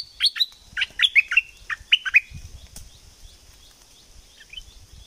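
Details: Bulbul from southern Thailand in 'sai ble' song: two bursts of crisp, warbling whistled notes, about eight in all, then a soft distant note, over low rumbles and a high steady tone.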